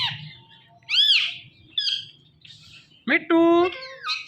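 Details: Talking parrot repeating "Mithu": an arched squawk, a short buzzy note, then a sudden upsweep into a loud, steady nasal tone, in a quiet room with faint low hum.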